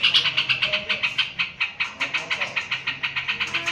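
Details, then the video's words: Continuous singing from a yellow-vented bulbul, a string of quick, clipped chattering notes pulsing at an even pace, loudest at the start, with faint voices in the background. "Trucukan nembak"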